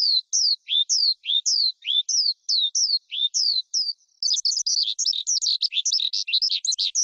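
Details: Forest skylark singing, a recording kept to excite wild birds and coach young birds: evenly spaced high slurred whistles with lower notes, then an abrupt switch to dense, fast, jumbled chattering warbles.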